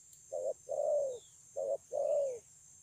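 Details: Two coo phrases from a wild-caught spotted dove singing 'thổ âm' style, recorded 9 June 2020 at Kon Long. Each opens with a short low note and ends in a long, gently falling coo. Faint high chirps from other birds.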